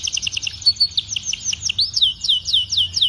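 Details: Canary tutor song for juvenile birds: rapid doubled high notes turning into loud repeated downward-sweeping whistles, about four per second.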